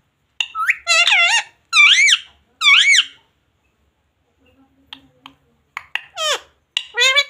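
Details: Parrot talking indoors, copying Hindi words such as "mummy" and "papa" in three loud, high, rising-falling nasal phrases, followed by soft clicks and a few quicker squeaky word-like syllables.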